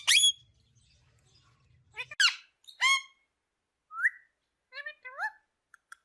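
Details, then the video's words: A talking green parrot gives loud squawks, then a clear rising whistle and softer bent chirps that trail into quiet clicks, in a still room. "Talking Green Parrot Bird Natural Sound"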